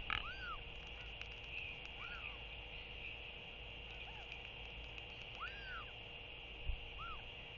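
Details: Northern royal albatross chick begging as a parent arrives to feed it in foggy early morning at the nest; soft arched wheeing calls, rising then falling, given every second or two over a steady background hiss.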